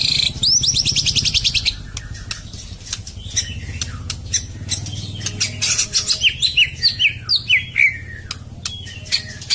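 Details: Harsh rapid song of a white-rumped shama, opening with a loud buzzy trill, followed by scattered sharp clicks and a run of quick whistled slurred notes.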